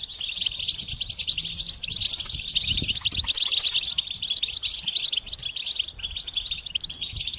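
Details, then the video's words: High twittering song of a goldfinch, a long run of fast tinkling notes and scratchy trills that continues almost without a break. "Experience the Goldfinch Singing"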